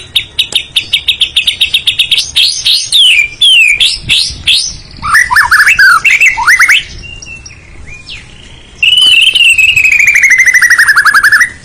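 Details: White-rumped shama, known as a strongly territorial bird with a melodious voice, singing loudly: a fast chattering run of clipped notes, varied twisting whistled phrases, a pause, then a long descending buzzy trill.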